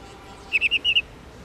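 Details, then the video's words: Female black-throated laughingthrush, subspecies lugens, giving a 'ro ro' call used to stir males into singing: five short, clipped notes in a quick run, evenly spaced over half a second, against quiet background hiss. "Khướu Mái Ro Ro Kích Trống Căng Lửa Khướu Bạc Má Mái Ro , Tiếng Chim Khướu Bạc Má Mái"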